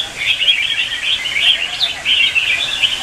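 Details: Red-whiskered bulbul singing in competition in the morning, a continuous chattering warble heard against steady background hiss, notes rising and falling without clear breaks.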